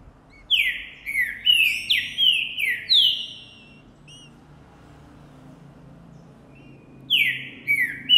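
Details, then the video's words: Male green-winged saltator of the Boi song style, singing hard after seeing a female, recorded January 2024: a phrase of about six loud, descending slurred whistles, then a quiet gap before the phrase starts again. "O canto que ESTIMULA qualquer TRINCA FERRO a CANTAR também!!"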